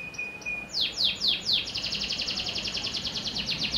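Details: A panda canary sings a bright, high song: a steady opening note, then a few sweeping downward slurs, then a fast rolling trill of rapid chips.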